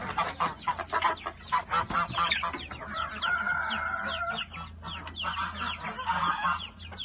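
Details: Chickens coming out of their coop in the morning: a flock of clucks and sharp chirps, then a steady, drawn-out droning tone in the middle, followed by more overlapping clucking and chatter.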